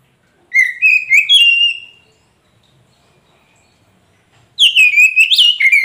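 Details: Young Oriental magpie-robin (kacer poci) singing to coax a silent caged bird into answering; two bursts of clear whistled notes, the first rising in steps, then a pause of over two seconds before a rich, varied warbled phrase.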